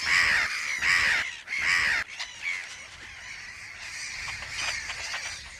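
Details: Black-headed gulls at a breeding colony on an island in a salt lake in the Hungarian Puszta give three loud, harsh, grating cries in quick succession while circling, alarmed by a badger, followed by fainter overlapping colony calls.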